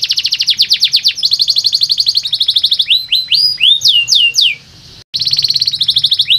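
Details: Canary song aimed at waking up lazy caged canaries: quick trills, then a series of loud swooping whistles rising and falling, a short silence, and renewed rapid trilling.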